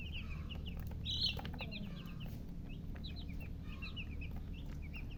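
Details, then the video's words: Thirsty domestic chicks calling for water, a flock giving quick high downslurred peeps in scattered bursts, one louder cheep near the start, with low background rumble. "Murgi chicks Chirping sounds with thirst for drink water"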